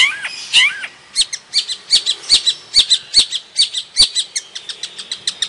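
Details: A Long-tailed shrike of the Madura type sings a fast, uneven run of high, scratchy chirps and twitters, about three notes a second, with no other clear sounds.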